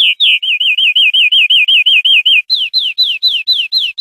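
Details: European greenfinch song from a clean tutor recording for teaching captive birds: a fast series of about a dozen wavy whistled notes, then higher, descending slurred whistles repeated evenly, with no other sounds.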